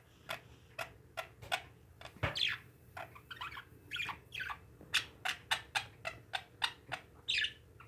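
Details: Chattering pet parakeets: quick bursts of squeaky, warbling chirps, some downslurred, running nearly continuously with brief pauses and a soft background hum.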